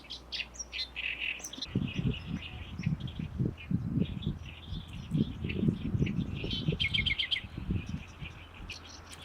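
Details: Great reed warbler singing loudly in May in reed beds on the shore of Lake Biwa, Japan: harsh, chattering phrases of repeated notes, with strong low rumbling noise from wind or handling underneath.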